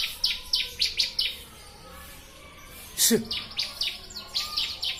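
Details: Ciblek, the bar-winged prinia, in a bird-training recording: evenly spaced bright high chirps in two runs separated by a short pause, with a sudden harsh noise burst between them.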